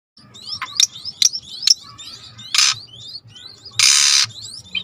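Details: Starling song in a training recording mixed with river sounds: high whistled slurs and chattering notes, harsh broadband rasping bursts, over a low steady rumble of water.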